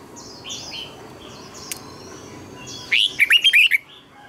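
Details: A red-whiskered bulbul, used for song training, gives soft thin whistles early on, then a loud burst of six rapid chirping whistled notes near the end.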